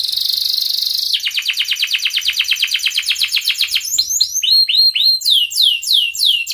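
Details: Canary in breeding condition calling a rival, used as a lure for young canaries to learn: a steady buzzy high tone, then a rapid trill of downslurred notes, ending in slower, wider sweeping whistles.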